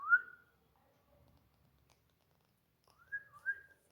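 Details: Pet Indian ringneck parakeet at home giving two whistled calls, a bright rising-falling note at the start and a warbling pair near the end, with quiet room sounds between.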